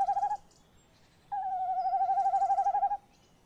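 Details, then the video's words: Tawny owls on 30 May 2015 at 21:45: the male trills in and near a nest box with the female close by. After he leaves, many more owl calls follow, apparently from on top of the box. Heard: a short wavering hoot, then a long tremulous, quavering note. "uilen lang te horen"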